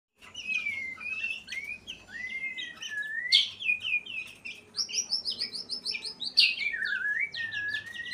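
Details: White-rumped shama in breeding condition singing: a varied, continuous stream of rich whistles, slurred rising and falling phrases mixed with rapid high chip series, with a faint low hum underneath.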